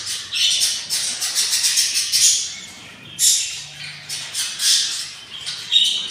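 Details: Nest of six hungry budgerigar chicks on day 24, raspy hissing begging squawks in quick rhythmic pulses, a steady series then a pause and renewed louder bursts.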